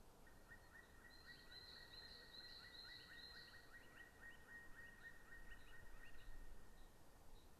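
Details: Black woodpecker in Estonia, 6 March 2016, gives a long, quick series of short, ringing notes that trails off, over steady low wind rumble and a faint thin whine.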